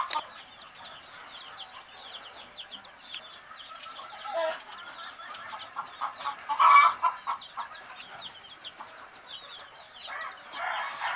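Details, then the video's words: Sleepy young chicks in a group, a steady chorus of high falling peeps with occasional louder, lower chirps and some rustling bursts. "Fun Sleepy "Chicks Chirping" Sound of Gallina Babies"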